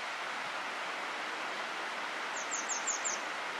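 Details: Japanese Wagtail (Motacilla grandis) in Takayama, Japan, April 2014, gives a quick run of five thin, high, sharp chips near the end, over a steady rushing noise.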